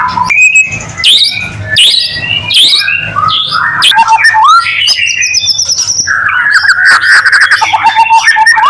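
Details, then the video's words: Shama song meant to provoke other white-rumped shamas to sing; bold whistled upsweeps and downslurs alternate with chattering bursts, then a warbling run of rapid, varied notes, loud and continuous, low hum behind. "Murai batu gacor AMPUH buat PANCINGAN murai batu agar bunyi LANGSUNG NGEPLONG"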